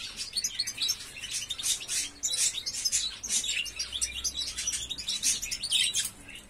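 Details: Young European goldfinch (Carduelis carduelis) in subsong, practising and learning its song in 2021: a continuous rambling stream of high tinkling twitters and thin chirps with no set phrases, no other sounds.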